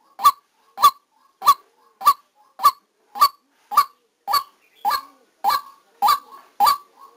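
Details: Decoy white-breasted waterhen recorded live during trapping, giving a loud, harsh, honking note over and over, about twelve times in seven seconds, each blast short and abrupt with a steady beat; no other sounds stand out.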